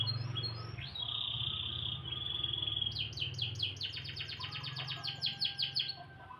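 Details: Canary singing in the morning: a sustained whistled tone, then a long accelerating string of crisp repeated chirps, with steady low hum underneath.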